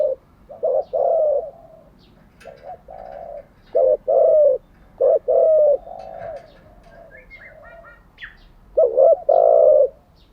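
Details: Decoy spotted dove giving phrase after phrase of low cooing, used in daily training of newly caught and decoy doves. Stuttered double hoots and long coos follow closely, with a few faint high chirps.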